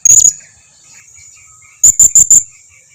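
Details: Used as a lure to make other blue-crowned hanging parrots answer: a short high trill, a pause, then four rapid sharp high chips.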